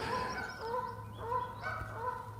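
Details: Canada geese, two territorial pairs disputing in spring floodwater at Parc de la Frayère, Boucherville, Quebec, 25 April 2026, windless and cool: overlapping repeated honks from several birds, with a faint background drone.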